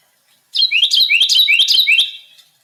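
A male Carolina Wren sings a loud, ringing teakettle song: about four quick, rolling phrases in under two seconds, with nothing else heard.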